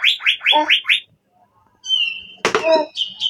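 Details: Asian fairy-bluebird song: a few quick, rising whistled notes, a short silence, then a thin high whistle. This is broken by a loud harsh burst and followed by more high notes.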